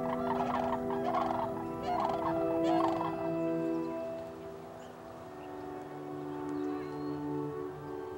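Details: Sandhill crane giving rolling, rattling trumpet-like calls in four bursts over the first three seconds, then fading to a steady low tonal hum.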